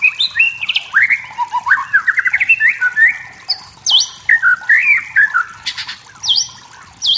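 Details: Wild white-rumped shama in forest, singing to provoke rivals: fast varied warbling with rapid trills, whistled upslurs and sharp high notes repeated near the end.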